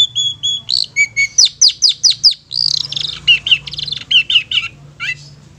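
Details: Long-tailed shrike calling to lure young or wild shrikes: steady paired high whistles, then a rapid run of sharp descending chips, a brief buzzy burst and more quick repeated notes, several per second, clear and loud.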